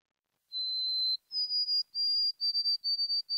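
White-throated Sparrow song: a long pure whistle, a slightly higher held note, then quick repeated triplet whistles on one pitch, the familiar 'poor Sam Peabody Peabody'.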